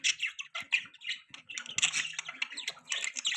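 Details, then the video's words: Pet budgerigars chirp and chatter rapidly, a busy stream of bright squeaky notes and buzzy trills that barely pauses, with a soft low hum in the background. "Beautiful Budgies Parrots Chirping Sounds"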